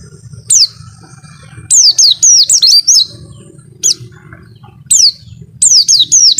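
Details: Sharp, high downslurred whistles from a white-eye, single notes and short clusters in its long 'wit-witttt' song, a soft low hum in the background.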